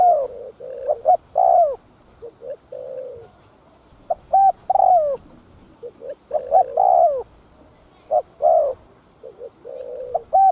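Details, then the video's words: Cooing of a spotted dove used to provoke other doves into calling: a steady series of phrases, each a pair of short hoots and a longer downward-curving coo, continuing without pause over about ten seconds. "Tiếng Cu Gáy Giọng Hấp Dẫn[ ĐỦ BÀI THÚC GÙ ĐỈNH CAO 02] Kích Bổi Nhanh Nổi"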